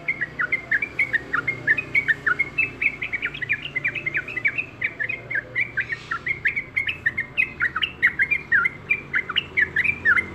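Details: Persistent song of a yellow-vented bulbul: steady, rhythmic run of lively chirped and warbled notes, several per second, sustained for ten seconds with little change.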